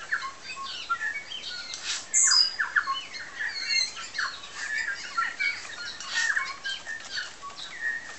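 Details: Several New Zealand bellbirds singing while feeding on Tiri Tiri Matangi Island: a dense run of bright chiming whistles and quick chirps that overlap and rise and fall, with a brief louder burst near two seconds.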